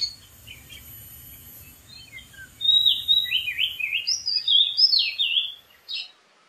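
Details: Song of a wild Oriental magpie-robin from a dead tree: after a few soft scattered notes, a loud three-second sequence of rich, slurred whistles and quick chirps, ending with a brief separate note.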